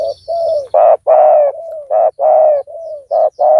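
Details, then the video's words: Spotted doves in a luring contest with a decoy: softer smooth coos alternating with louder, harsher coo notes from a second bird, in a rapid overlapping run. "Pikat tekukur tapau Bl suara besar"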